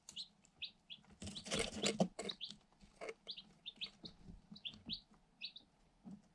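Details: Eight one-day-old Light Sussex chicks hatched in an incubator, kept in a cardboard box with a GoPro Hero 7 Black. Short high peeps repeat about four times a second, irregularly, over a burst of scratching and pecking noise.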